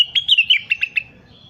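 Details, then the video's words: Crested partridge, calling actively for use as a tutor recording for training birds: a quick run of about seven sharp, high chirped notes, the first ones slurring downward, ending in a thin fading whistle. "Suara burung rengganis gacor"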